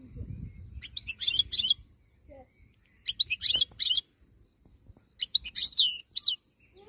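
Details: European goldfinch of the wild type giving three brief, bright twittering phrases a couple of seconds apart, with near silence between and a low rumble at the start.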